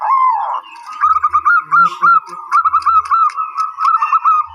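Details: Zebra dove (perkutut) song: a long rising-falling coo, then a run of quick rolling, bubbling notes near one pitch, given in clustered bursts, with faint low thumps underneath.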